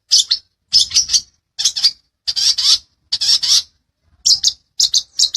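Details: Long-tailed shrike master recording used to train caged songbirds: harsh, buzzy, scratchy bursts in irregular clusters, each burst a rapid chatter of grating notes, separated by short silences.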